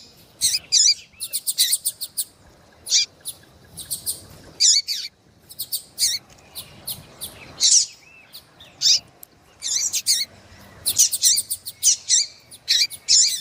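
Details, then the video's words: Breeding-condition female Double-collared Seedeater calling to arouse a male: rapid clusters of high, thin chirps and sharp ticks, repeated in bursts with short pauses throughout, all in a quiet background. "FÊMEA DE COLEIRO QUENTE CHAMANDO MUITO FOGOSA E PIANDO"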